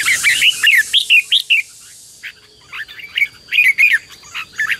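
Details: Red-whiskered bulbul singing in a decoy recording used to call wild birds and excite a trained bird: bright, bubbly whistled phrases of quick rising and falling notes, a pause midway, then more varied chirpy phrases.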